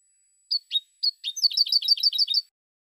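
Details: European goldfinch giving a song phrase that opens with spaced, sharp high notes and breaks into a rapid, jingling trill of repeated twittering notes; nothing else audible.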